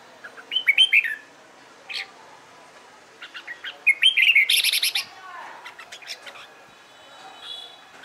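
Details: Red-whiskered bulbul being trained to sing in competitions: a short looping whistled phrase, then a second phrase that runs into rapid harsh buzzy notes, trailing into softer chattering calls from other birds.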